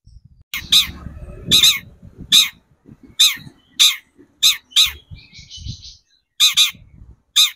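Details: Long-tailed shrike used as a lure to excite other shrikes into singing: loud, harsh, rasping notes repeated at uneven intervals of under a second, with faint low rumbling underneath.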